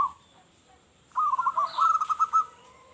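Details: Loud-voiced local zebra dove calling to lure other doves: after near-silence, a burst of bubbling, trilled cooing notes in a quick pulsing string, with faint background hiss.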